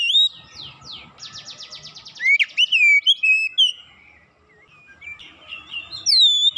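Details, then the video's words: Oriental magpie-robin (kacer), a caged bird prompted to sing fast: a rapid buzzy trill of repeated strokes, then loud sharp whistled notes and slurred phrases, ending with a high clear whistle. "sekali pancing Kacer macet bunyi cepat gacor"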